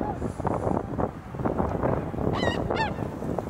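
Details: Tundra swans at Azumino on a cloudy -4°C day with lingering snow: two short, reedy hooting calls near the end follow a stretch of wind-like rushing noise.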